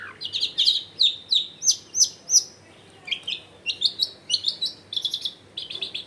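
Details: Long-tailed shrike in a busy, chattering song, recorded at home to coax quiet shrikes into answering; rapid high chirps and twitters in a steady run of roughly three notes per second, with a short pause halfway.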